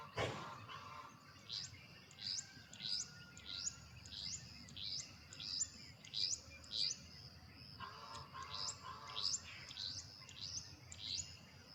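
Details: A male Carolina wren, perched and singing his loud territorial teakettle song, gives a rapid run of bright, down-slurred phrases about every two-thirds of a second, with softer lower calls and a faint outdoor rumble beneath.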